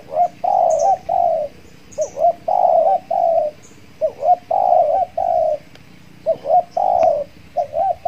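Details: Spotted dove used as a decoy to pull in wild doves, calling steadily: repeated phrases of two short hooked notes and two longer level coos, roughly every two seconds, with faint high bird chirps.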